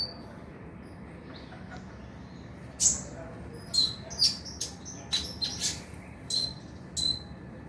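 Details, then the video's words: Lure track of kolibri ninja (Van Hasselt's sunbird), meant to prompt singing at night: high, thin metallic chirps given singly and in quick pairs, spaced under a second apart, over faint low hum. "PANCINGAN KONIN AGAR BUNYI MALAM HARI"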